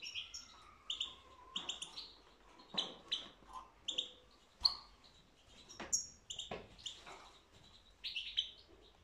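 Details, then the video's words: European goldfinch singing, 2022: short bursts of high twittering and chirping notes with buzzy edges, coming roughly every second in loose phrases, broken by sharp clicks, with a faint lower whistled note early on. "تغريد الحسون"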